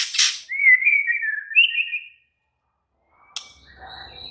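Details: White-rumped shama singing in an agitated state: a harsh noisy burst, then a long wavering whistled phrase that steps up in pitch, followed by quiet faint notes and low noise.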